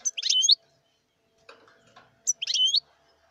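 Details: Wild European goldfinch repeating the same short phrase twice, about two seconds apart. Each phrase is a burst of high, tinkling twitters ending in a rising liquid slur, with faint low background noise between them.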